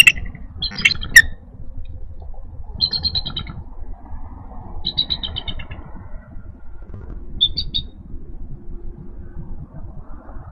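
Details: An eagle at a Minnesota nest, 4 April 2018, 12:09pm CDT: the female, on a branch, vocalizes while the male is annoyed by a squirrel near 2- and 4-day-old eaglets. Three bursts of high, thin, chittering piping notes over wind rumble.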